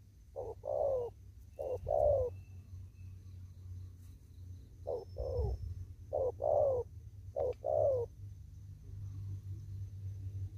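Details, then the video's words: Spotted dove in the wild in a farm field, 'đồng thúc gù' cooing style: six paired coos, each a clipped lead note and a drawn-out falling coo, with a pause mid-sequence and a low rumble beneath. "Cu Gáy. Đồng thúc gù."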